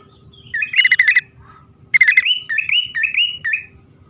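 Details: Lure calls of a male and female bar-winged prinia: a buzzy rattle, a short gap, then another rattle leading into a row of five rising whistled chirps.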